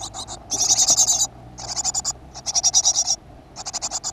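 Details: Great tit at a school-garden nest box, 7 June 2015: rapid buzzy-rasping pulses in runs of about half a second to a second, some louder and hissier, separated by short silences.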